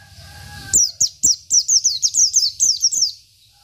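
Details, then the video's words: Local Oriental white-eye performing isian song for tutoring: after a quiet start, a continuous string of about a dozen high, sharply descending whistled notes, evenly spaced, then silence. "PLECI BIKIN EMOSI LAWAN || Pleci Lokal || Pleci Isian"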